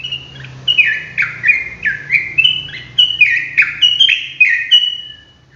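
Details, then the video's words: Loud, fast ropel song of a sooty-headed bulbul: rhythmic run of clear, downslurred whistles about twice a second, each note sharp and ringing, with faint low background hum. "TRUCUKAN ROPELAN GACOR"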